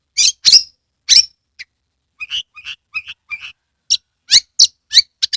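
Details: Lively Oriental magpie-robin song, Kebumen, Central Java, with the bird spreading its tail: loud sharp high chips, a run of softer lower whistled notes, then a rapid series of piercing chips.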